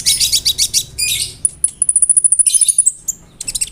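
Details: Konin bird song packed with imitations, including cricket-like sounds, used to tutor other songbirds; buzzy high chatter, then a rapid evenly spaced series of thin, very high ticking notes, then more chatter.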